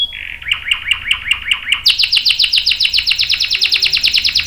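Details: Canary long-roll song for training canaries: soft chattering notes, then a fast, evenly repeated series of bright downslurred notes.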